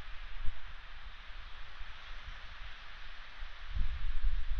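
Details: Low wind rumble and rustling outdoors, buffeting the microphone, with no calls heard.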